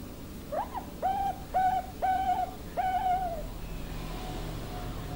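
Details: Bangkok cristal-line zebra dove cooing: a short opening note followed by four longer level coos spaced about half a second apart, fading to a faint coo over low hum.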